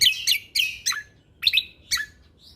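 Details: Cucak kombo, the lesser green leafbird, in lively tutoring song with tembakan phrases: loud, rich slurred whistles repeated about every half second, dropping in pitch, then a short pause and two more.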